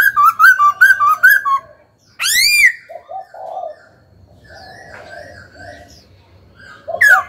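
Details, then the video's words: Laughingthrush held as a caged songbird during singing practice. A fast string of rippling whistled notes gives way to one loud, rising, harmonic-rich whistle, then soft low chatter and a final bright note. "Khướu hót cực hay, kích bổi hót ngay"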